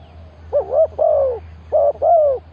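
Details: Spotted dove calling as a lure for wild doves: paired mellow coos, a brief note then a longer sliding coo, repeated twice with a pause between, against a quiet low background hum.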